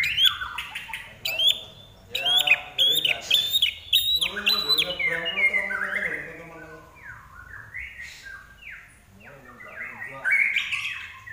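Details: Common iora singing strongly in captivity in Indonesia: sharp high notes alternate with harsh, rasping, buzzy chatter, then a quieter stretch of soft twittering and a final whistled burst.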